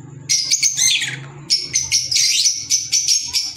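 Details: Kept green Fischer's lovebirds giving shrill high chirps and a steady series of sharp squeaky notes, several per second, loud and piercing.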